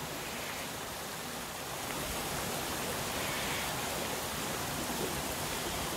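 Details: A steady roar of rushing water from a waterfall fills the recording, with no animal voices heard.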